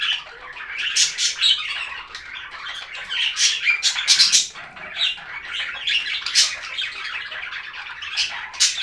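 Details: Budgerigar chirping: a dense, continuous chatter of short high buzzy and squeaky notes that rise and fall in loudness, with tinny warbled bursts every second or so and hardly a pause.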